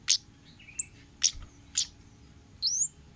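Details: Orange-headed thrush, wild-style 'ngalas' singing meant for training and luring cage birds: three short, very high clicks spaced about half a second apart, mixed with a few thin rising whistled sweeps.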